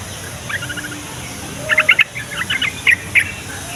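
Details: Song of a yellow-vented bulbul, played to make other bulbuls call back: soft chattering notes followed by louder, liquid, bubbling syllables in quick irregular bursts.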